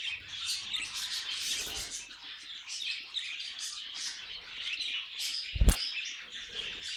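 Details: A group of pet budgies sing in a tangled, high chatter of chirps, clicks and short whistled notes, continuous throughout, with a sharp knock or click late in the recording.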